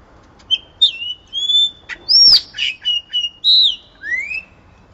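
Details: Yellow-rumped cacique spring song for training and exciting caged birds: a continuous run of clear whistles, upslurs and downslurs interspersed with dry clicks and a sharp crackling note, varied phrases flowing together.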